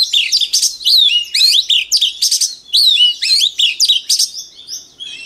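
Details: Rapid, loud white-rumped shama song for training young shamas: repeated short phrases of swooping whistles mixed with buzzy high chips, delivered about every half second, in a clean, quiet setting.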